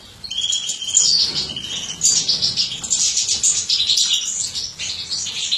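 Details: Captive-bred mutant European goldfinch hen, bred by a fancier and filmed feeding: continuous, high, liquid twittering with rapid tinkling trills and sharp chirps that run almost unbroken for several seconds.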